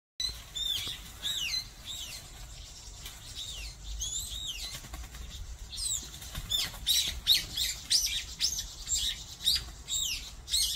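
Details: Brown-eared bulbuls fighting in a group on a mountain: high, squealing slurred whistled notes rising and falling, scattered and overlapping, with bursts of fluttering wingbeats between calls.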